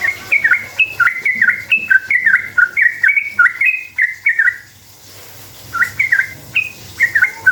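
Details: Lure song of a sooty-headed bulbul, long rapid 'ropel' style, meant to make other bulbuls reply: a rapid run of bright, warbled whistles rising and falling, a one-second pause, then more phrases.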